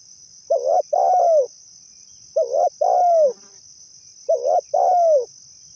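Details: Spotted dove call used as a lure for trapping, said to make other spotted doves answer: a short coo then a longer bending coo, the pair repeated three times, over a steady high electronic whine.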